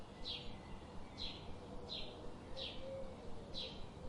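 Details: Five bright, downward-sweeping chirps from a bird, evenly spaced about one second apart, with faint low background noise.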